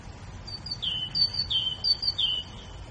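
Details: Grey bulbul delivering three evenly spaced high whistles, each sliding downward and holding steady, linked by brief thin notes above them.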